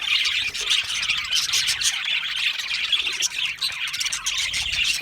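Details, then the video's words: Many budgies chirp together in a lively, nonstop jumble of high tweets, rasping chatter and fast squeaks, dense throughout. "Australian Budgie parrot chirping sounds"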